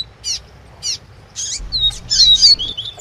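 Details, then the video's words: Double-collared seedeater, female's chirping used to spur the male's tui tui song; two spaced high chirps, then a denser passage of chirps and clear whistled glides. "PAPA CAPIM CANTANDO TUI TUI COM PIADO DE FÊMEA"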